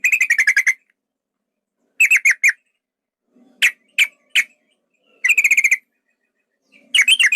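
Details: Yellow-vented bulbul, a male, in a fight-provoking lure: short bursts of rapid chattering trills alternating with three spaced single chirps, separated by silences.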